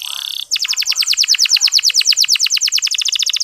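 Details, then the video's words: Canary 'ngeriwik halus' song, a lure to get male canaries singing: a brief buzzy tone gives way to a long, even trill of sharp, clipped notes, roughly nine per second, clear and unbroken. "Suara Kenari Ngeriwik Halus"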